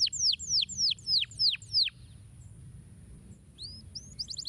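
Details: Canary song used to stimulate other canaries to sing: a run of six loud downward-sweeping whistled notes, then a pause and a few softer rising and falling phrases near the end.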